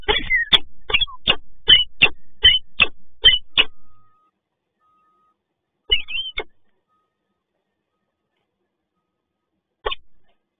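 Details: Rainy morning at PGE Toruń with a peregrine falcon: a fast series of about twelve sharp, clipped kak notes over four seconds, then silence broken by a short pair of notes and a single later note.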